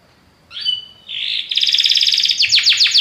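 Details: Belgian canary singing a powerful song: a thin whistled note, then a dense high buzzy trill, ending in rapid descending chips repeated several times a second.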